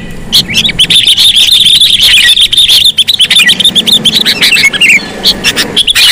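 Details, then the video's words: Sooty-headed bulbul lure call: a long, dense run of chattering high notes, then a pause and further scattered chirps, with a low hum beneath. "Suara pikat kutilang sangat sensitif"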